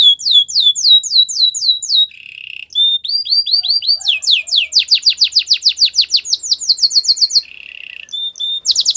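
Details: Training song of a Belgian canary: fast repeated whistled tours, a low buzzy rattle, steep rising sweeps in a long rapid series, another rattle and a sharp high burst at the end.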